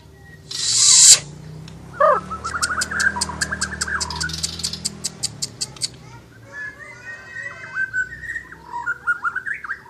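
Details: After a loud noise burst, an Asian brown flycatcher sings in full voice: rapid repeated ticks under a chattering trill, then softer varied warbled phrases.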